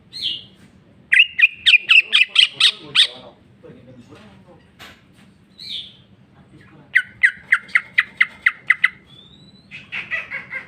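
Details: Greater green leafbird singing in jamtrok style with its full song fill: two fast trains of repeated sharp, piercing notes, each about two seconds long, separated by short whistles, ending in a louder chattering phrase.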